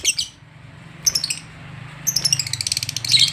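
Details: Lovebird stirred up by the presence of another lovebird gives shrill, high chattering chirps. An opening squeak is followed by a short burst, then a rapid run of piercing notes over a faint low hum.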